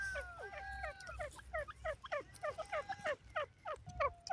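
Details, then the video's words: Grey francolin, known locally as Dakhni Teetar, from South Asia: a rhythmic series of loud, harmonic, clipped notes, repeated about three times a second, each note rising then dropping, with faint background hiss. "grey partridge best teetar sound, dakhni teetar k awaz"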